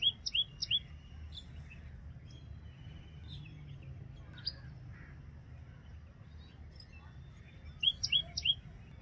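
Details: Common tailorbird, a loud-calling garden bird of tropical Asia, giving a quick burst of three sharp upswept chirps at the start and another three near the end, with softer distant chirps and steady low noise between.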